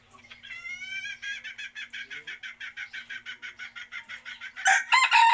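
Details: Chicken sounds: a long, steady string of fast, ringing clucks, about four a second, ending in a sudden loud, raucous outburst of several calls together.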